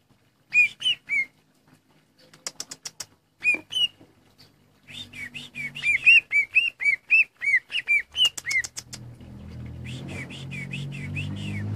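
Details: Injured caged greater green leafbird, missing part of a leg after a cage accident, still singing keenly. Scattered sharp chirps and slurred whistles build into a rapid whistled series; rising rushing noise covers the end.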